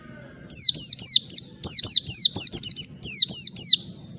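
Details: Provoking rivals, an Oriental white-eye sings ngalas style: a dense string of about fourteen shrill falling chirps, some clustered in quick pairs and triplets, over a soft low background hum.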